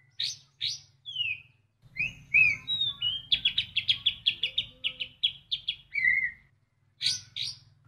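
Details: White-rumped shama singing a mimicry-filled song with imitated sounds of other birds: downslurred whistles, then a fast run of about a dozen bright, repeated notes, and a closing whistle. A low hum lies underneath.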